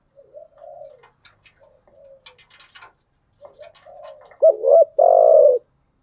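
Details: A spotted dove hen calling to lure and excite a decoy bird, thúc gù style turning to gáy gọi: gentle wavering murmurs and scattered clicks, then one loud deep stuttered coo and a long full coo at the end.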